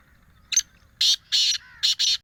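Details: Black francolin heard in a forest in the morning, giving a brief harsh note then four loud grating bursts in a clipped rhythm, the last two close together; a faint low hum lies underneath.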